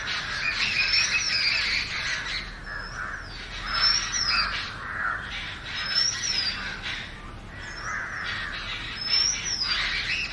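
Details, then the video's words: Oriental magpie-robin giving a rapid series of short, high, arched whistles roughly every second, amid continuous bird chatter. "Magpie Robin Singing 🎶 7-Different Sweet Melodies of Magpie Robin 🐦Oriantal Magpie Robin calls"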